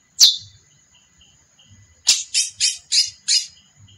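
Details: Female chestnut-bellied seed finch giving one sharp, loud downward chip, then after a pause a run of five harsh, buzzy notes about a third of a second apart, with a faint steady high hiss behind.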